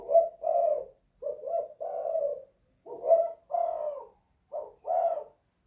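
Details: Tekukur, the spotted dove, in a house giving its 'kuk 2 / guk 1' call: a steady series of hoarse, low coo notes in pairs, each short note followed by a longer drawn one.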